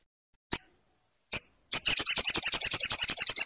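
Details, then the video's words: Crimson sunbird used as a master recording to get a silent bird singing. Two spaced, piercing chips lead into a rapid, ringing run of high notes that continues to the end. "pastikan sogon macet dengar suara ini"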